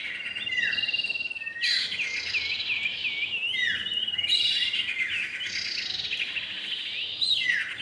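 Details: Common iora pair, male and female: sweet looping warbles and down-slurred whistles in rushing phrases, broken by bright scratchy chatter bursts, continuous lively singing throughout.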